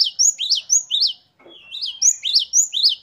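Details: Short burst of great tit song: ringing slurred whistles rising and falling in a quick run, a brief pause with a soft note, then the run resumes.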